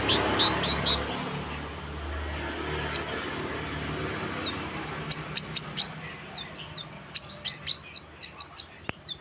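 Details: Chestnut munia, locally called kemade, singing in the gacor style described as "dor owor owor". The song opens with a few faint notes, then gives a string of very high, thin, sharp notes that repeat more often toward the end, with low background hum.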